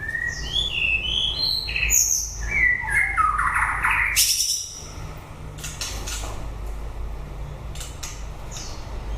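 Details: White-rumped shama in song late in the breeding season, delivering a rapid varied series of whistled and slurred notes stepping downward, a loud harsh burst midway, then quieter clicks over a low steady hum.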